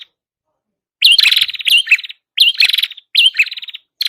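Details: Red-headed prinia song meant for luring birds: after a second of silence, three energetic phrases of high chirps, each finishing in a dry buzzing trill, roughly every 0.7 seconds.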